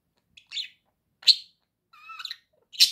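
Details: Pet budgerigar makes a few loud squeaky chirps and a short whistled note with overtones, separated by brief silences.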